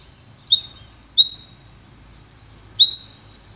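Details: Goldfinch × canary hybrid (pintagol) uttering three separated high whistles, each a sharp onset followed by a short sustained tone. The second and third are doubled, and there are long quiet gaps over a faint low hum.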